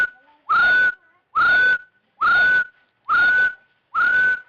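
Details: Rufous-throated Partridge call used as trapping bait: five clear whistles, each rising quickly then holding steady, repeated a little under once a second with a slight buzzy edge.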